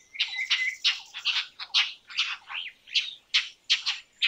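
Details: Indian roller giving a rapid series of harsh, rasping squawks, roughly two to three per second, with uneven spacing and no other clear sounds.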